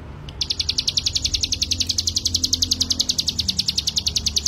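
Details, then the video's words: Ciblek gunung (hill prinia) song used as master song for training cage birds: a long, even, rapid trill of high, sharp pulsed notes, about ten per second, held for four seconds over a low background hum. "CIGUN ( CIBLEK GUNUNG ) MASTERAN BURUNG"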